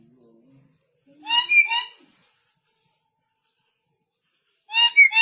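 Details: Newly arrived red lory from North Maluku, still fierce, letting out two loud bursts of raspy screeching several seconds apart, with soft, thin rising whistles between them.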